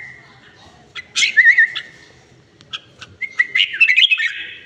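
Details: Well-tamed red-whiskered bulbul giving a sharp burst, a quick string of wavering whistles, a pause with clicks, then a rising chattering phrase of bright notes.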